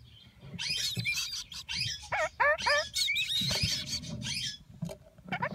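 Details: Red-crowned parakeet chicks in the nest, offspring of a captive breeding pair: a busy run of harsh, raspy chirps and sharply falling, ringing notes, several overlapping, with softer low rustling between bursts.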